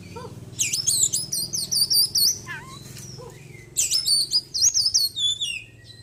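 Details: ['Oriental magpie-robin of the white-breasted form, caged and kept in daily care after its moult, delivers two rapid runs of shrill twisting whistles packed with small-bird mimicry, with a few lower chirps between them over a faint hum.']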